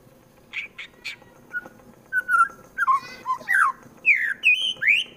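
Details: White-rumped shama, a caged fighter bird from Wonosobo, Central Java, Indonesia, singing to provoke rivals: a varied run of short whistled notes, slurred rising and falling phrases and buzzy bursts, getting louder toward the end.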